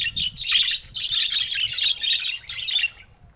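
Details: Colorful budgies, rare mutations and babies among them, giving a continuous scratchy warbling chatter of rapid, squeaky notes that rises and falls over a few seconds, with no music or voice.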